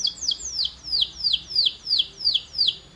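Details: Canary repeating a sharp high note that sweeps downward, about three per second, in an even rhythm.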